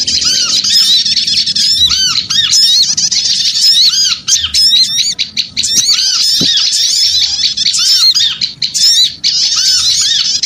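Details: Noisy lure recording of small birds: a dense, continuous flock chatter of high, fast-rising and falling squeaky notes, with brief pauses near the middle and a clearer looping note repeated low in the mix.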